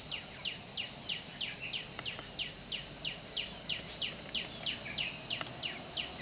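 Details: Puff-throated babblers (Pellorneum ruficeps) feeding a hungry chick give thin, high, sharply down-slurred notes, about three each second in a steady series, over a soft background hiss.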